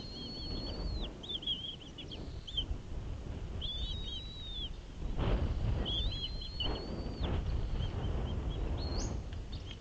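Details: Wild bald eagle at its nest on Santa Cruz Island, California, around a feeding and fish delivery in 2016, heard through a nest cam: shrill piping whistles and slurred rising notes repeated in bursts, over gusty wind rumble.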